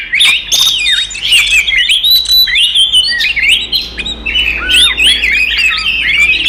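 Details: Oriental magpie-robin singing a provoking fight song aimed at other magpie-robins: long, unbroken chain of clear whistles and trills, many notes dipping then rising, loud and steady throughout.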